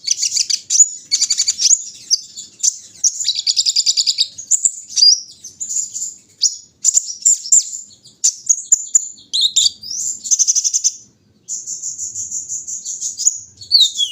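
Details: Long outpouring from a brown-throated sunbird at its morning dew airing: fast high twitters, buzzy rattles and slurred squeaks in bursts, with a brief gap before steady trilling resumes.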